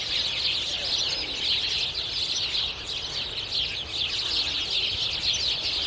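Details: Many sparrows chirping together on a spring street, a continuous busy wash of sharp, high cheeps and chattering notes from a large flock, with a slight dip in volume midway.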